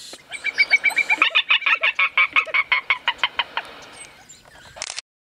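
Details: A Spot-flanked Gallinule in Conceição do Coité, Bahia, Brazil, gives a rapid run of about twenty dry, clucking notes over four seconds, speeding up then trailing off, against quiet background.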